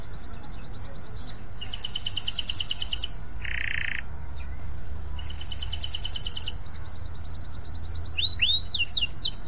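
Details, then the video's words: Canary singing at length, played to get other canaries singing: rapid high trill phrases broken by short pauses, a brief buzzy lower burst near the middle, and upward-sweeping whistled notes at the end. "KENARI GACOR PANJANG ! Ampuh untuk memancing kenari lain bunyi"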